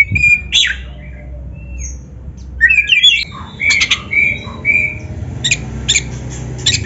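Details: Oriental magpie-robin singing, played to train caged birds: scattered whistles and harsh squawky notes, a dense chattering burst near three seconds, clear whistled slurs, then short repeated rasping bursts, over a low rumbling background.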